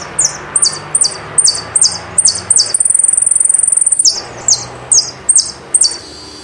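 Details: Saffron finch singing: a series of sharp, high, down-slurred chips repeated about twice a second, broken by a sustained rapid high trill lasting about a second, then more chips resuming; a faint low hum underneath.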